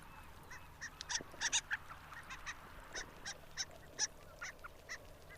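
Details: Harlequin duck calling: a loose series of short, squeaky, nasal notes with bright overtones, about one every two to three seconds, some doubled, over a steady low background hum.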